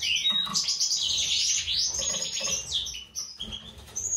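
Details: Goldfinches, a white-throated mutation male paired with a classic female for breeding, sing a busy tinkling warble: a falling opening note, then dense rapid chirps and trills, ending with a brief pause and high thin notes.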